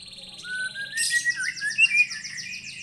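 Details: White-rumped shama reacting to a lure recording, a rising whistle leading into a burst of rapid buzzy, chattering notes over a low steady hum.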